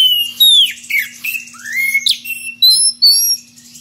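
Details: Magpie-robin in ngeplong style challenging a rival with odd variations: sharp squeaky notes and bright whistled slurs, some rising and some dropping, in quick uneven bursts over a faint steady hum.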